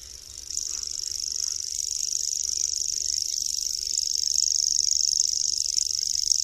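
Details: A small migratory songbird, the common grasshopper warbler (Locustella naevia), starts a sustained high-pitched cricket-like reel after half a second and keeps it going without pause, slowly swelling in loudness, over quiet low background hum.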